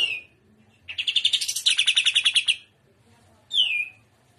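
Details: Trotolan song of a greater green leafbird, shrimp style: after a short whistle, a quick stuttering series of loud chattering notes rushes along for a second and a half, followed by a single clear downslurred whistle.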